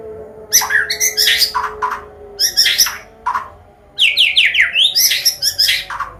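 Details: Combination song of a Medan white-rumped shama, used as a lure to teach young birds: bursts of harsh chattering and high scratchy phrases, then a run of quick downslurred whistles, over a low background hum.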